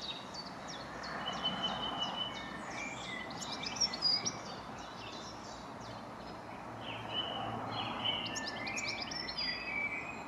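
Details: A European goldfinch singing in a tree at Oakenholt, Flintshire, Wales, on 27 April 2020: a fast, tinkling twitter of high chirps and buzzy trills over a steady wash of background noise.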